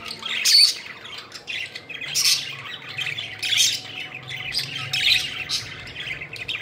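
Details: Budgies at play, fluttering and flying around, chirp joyfully in bright high bursts of quick squeaks and tweets, roughly every second or so, over a faint steady low hum.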